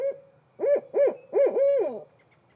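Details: A female Barred Owl answering her mate gives a brief hoot, then four rich, arching hoots in quick succession; the last is drawn out and slurs downward, with quiet around them.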